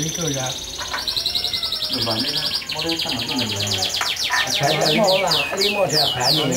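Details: Canary singing fast rolling trills of repeated bright upslurred notes, shifting between high buzzy series and lower chattering phrases, with music and soft voices underneath.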